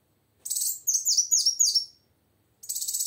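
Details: A female plain sunbird, vocal enough to rouse a silent male: a rapid trilled series of high, buzzy, downslurred chirps, then after a short gap another fast chattering burst begins.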